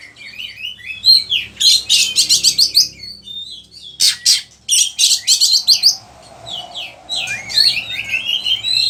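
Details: Oriental magpie-robin, kacer, recorded in Indonesia as master song for training other birds: fast bursts of harsh buzzy chatter alternating with rapid whistled notes, ending in looser warbled whistling.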